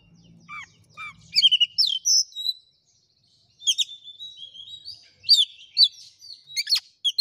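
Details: Oriental magpie-robin song used to provoke a quiet, reluctant bird into answering a rival: sweet whistled notes and rising sweeps, a short pause, then a run of sharp varied phrases with a faint low hum early on.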